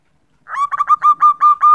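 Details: Female zebra dove calling a male as a lure: a short, steady sequence of seven clipped, even-pitched coo notes following brief silence.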